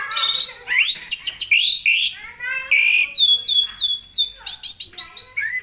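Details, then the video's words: Asian pied starling in full, rich 'gacor full isian' song, recorded for teaching other songbirds. Rising whistles and creaky notes give way to a series of ringing downslurred notes, then a final quick chatter. "SUARA BURUNG JALAK SUREN GACOR FULL ISIAN AMPUH buat MASTERAN SEMUA BURUNG KICAU"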